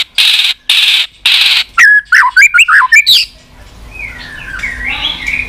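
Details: White-rumped shama with continuous clicking: three harsh, buzzy broadband bursts come first, then a quick string of sharp whistled notes. Distant softer sweeping whistles follow in a quiet background.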